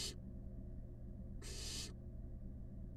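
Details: One full, harsh hissing rasp of about half a second comes from five wild barn owl nestlings snuggling in a nest box. It follows the tail of an earlier hiss and sits over a continuous low hum.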